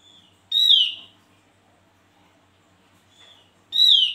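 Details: Javan grey-throated white-eye (Lophozosterops javanicus), song.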